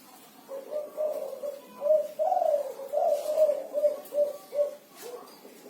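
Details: Spotted dove (derkuku, tekukur) singing vigorously in the 'kuku 6' song style: a steady run of about nine soft, low, hollow coos, some with rising and falling inflections, evenly spaced over several seconds.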